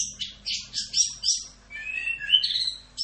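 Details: Anis kembang, or orange-headed thrush, gives masteran 'rock'n roll' song: rough, noisy high bursts followed by a smooth, rising whistled phrase that ends in a bright sustained note; faint hum and low rumble behind.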